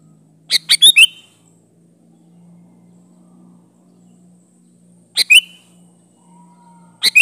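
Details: Sooty-headed bulbul song meant to call in wild bulbuls: three quick bubbly phrases, the first of several rapid notes ending in a liquid downslurred whistle, then long pauses over a steady low hum.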